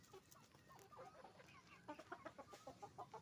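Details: Chickens on a farm, roosters and hens making noise together: a busy chorus of short clucks and squawks, growing into repeated bright clucking notes in the last second and a half.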